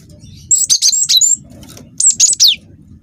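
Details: Young cinereous tit of the wingko type giving a lure song to prompt other birds to sing: a quick tumbling series of high whistled and buzzy notes, then a shorter burst with descending slurs, over soft low noise.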